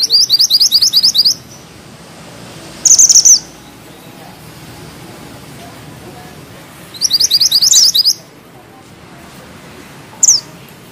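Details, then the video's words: Mountain bushchat (mantenan gunung) in lively song with tight rolls and sharp notes: bursts of rapid high chattering trills separated by quiet gaps, a brief shrill buzzy phrase, and a single high downslurred whistle at the end. "Mantenan gunung gacor ngeroll rapat,nembak tajam!!"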